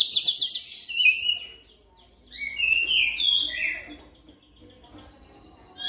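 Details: Training lure song of an oriental magpie-robin, meant to prompt fast nonstop singing: a loud buzzy trilled burst, then a pause and a run of warbled whistles with rising and falling notes, then near silence.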